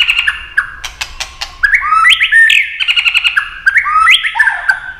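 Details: White-rumped shama singing competitively, a quick series of clicks followed by bright, stepped whistled notes rising and falling in a flowing, repeated phrase.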